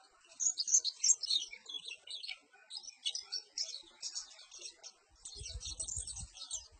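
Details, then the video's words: Perci bird song: fast, high-pitched chattering phrases separated by brief pauses, with a low rumbling noise near the end. "Suara Burung Perci"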